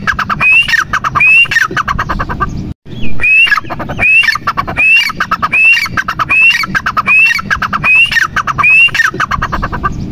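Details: Grey francolin (teetar) calling loudly: a steady run of strident, ringing phrases, repeated roughly every 0.8 seconds. The phrases carry on for the whole ten seconds, broken only by a brief gap.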